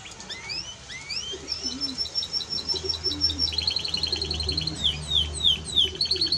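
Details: Singing Timbrado Español canary: upward-sweeping whistles lead into long runs of quick repeated chips and pulsed notes, with low cooing audible underneath.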